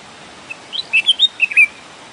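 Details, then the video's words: Naturally recorded song of a red-whiskered bulbul: a single cheerful phrase of six or seven clear, warbled whistles, bouncing up and down in pitch, delivered in about a second over quiet background hiss. "Red whiskered bulbul sound and song"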